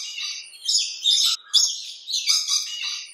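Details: Rainbow lorikeets screeching continuously in a backyard, with loud rasping squawks rising and falling in several overlapping bursts over three seconds.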